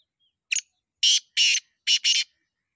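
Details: Harsh rasping phrase of a black francolin from Punjab: one brief clipped note followed by two drawn-out grating notes and a rapid final double note, with silence between.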